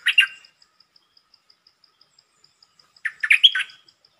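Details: Champion red-whiskered bulbul opening fast with a brief, pleasant song: two quick fluty notes, a pause with regular soft ticks in the background, then a fuller warbled phrase of rising and falling whistles.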